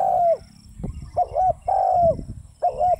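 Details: Spotted dove coos, long soft hooting notes falling slightly at the end, alternating with a wavering double-peaked note, over low rumbling and thumping noise.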